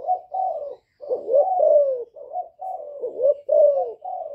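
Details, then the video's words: Young spotted dove calling with a bowing coo added, used in a tutor-style calling sequence to stir up wild doves: low, mellow cooing phrases, several soft rising-falling notes run together, broken by a brief pause. "Cu gáy tơ gáy giọng hạp bổi GÁY GỌI + KÈM GÙ BO chim cu gáy chu lèo bài bản kích bổi hay. Cu đất gáy"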